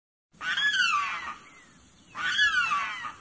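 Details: Limpkin giving its loud screeching call near a wetland, a call that carries far: two harsh, wailing screams about 1.5 seconds apart, each sliding downward, with faint rustling between them.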